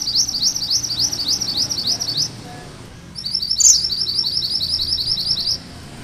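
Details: Two long runs of rapid, high, rising notes, each lasting about two seconds, separated by a short pause with one sharp chip, from a gacor Sunda bush warbler singing its 'ngerol' roll.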